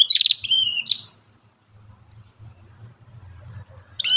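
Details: Ashy tailorbird, called prenjak kepala merah locally, singing actively: a quick burst of bright, high whistled notes for about a second, a second short phrase, then near silence with a low background rumble before one more note at the end.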